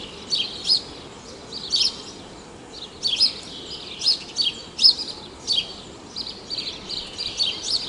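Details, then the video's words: House sparrow (Passer domesticus) filmed at Praia de Pipa, Tibau do Sul, Rio Grande do Norte, Brazil, giving bright, high chirps in irregular bursts, roughly one or two each second, over faint steady background hiss. "SOM DO PARDAL, CANTO DE PARDAIS"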